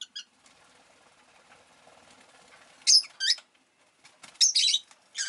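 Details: Pet rosy-faced lovebird with a soft rustling or flapping wash, then bursts of sharp, high chirps in two clusters near the end.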